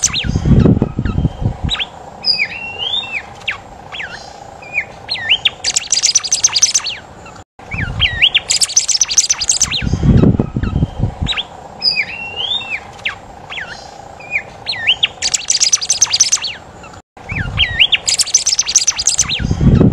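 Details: Singing golden whistler (bimoli, kancilan emas). Looping and upslurred whistled notes come in sequences, each closing with a rapid, high, twittering burst. The pattern repeats about every eight seconds over heavy low thumps and rumbles.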